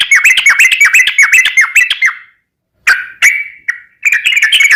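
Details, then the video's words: Yellow-vented bulbul in full song as a lure sound: a fast, regular string of bubbly descending chirps for two seconds, a pause, isolated sharp calls, then the chatter resumes. "Ini Baru Pancingan Trucuk Sesungguhnya || Burung TRUCUKAN GACOR"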